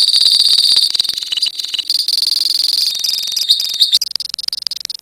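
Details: Colony lovebirds produce a long 'ngekek' song: an unbroken, pulsing, high-pitched chatter with fast repeated notes. It becomes choppier and more broken into separate bursts over the final second.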